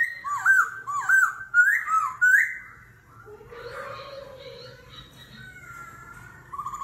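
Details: Laughingthrush in competitive forest-voice song with continual voice changes, kéo thuốc lào style: a quick series of rolling up-and-down whistles, then a softer lower warble and a sustained buzzy phrase.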